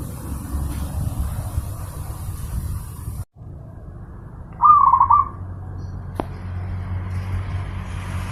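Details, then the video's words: Zebra dove master recording for training pet birds: after a brief dropout, a single crisp phrase of rapid trilled coo notes, then a sharp click, over continuous low hum. "Masteran burung perkutut,sangat jernih dan gacor"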